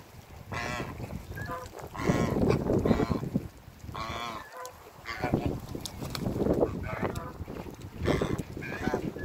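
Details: A pair of African geese, met by a visitor, give loud, harsh, nasal honks in several bursts of repeated calls. Some calls overlap, with short pauses between bouts over a low background rumble.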